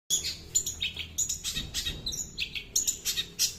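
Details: Long-tailed shrike singing in a varied, mimicking style: rapid bursts of high chirps, buzzy notes and whistled phrases, delivered in quick series with short pauses.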